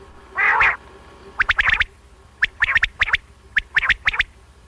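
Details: Common quail (batair), morning and night hunting sounds: a low nasal double grunt, then four quick three-note whistled phrases at about one per second.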